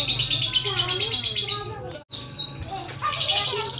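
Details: Caged lovebird giving a rapid ticking chatter meant to prompt long song: dense high buzzy trills repeated about four times a second, with a brief silent break near the middle and faint low-pitched speech-like murmurs underneath.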